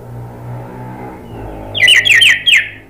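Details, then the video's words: Orange-headed thrush lure call meant to make other birds answer: four harsh, descending, rasping notes in quick succession, following a low background hum. "bikin ANIS MERAH lain jadi ikut NYAUT NGEPLONG"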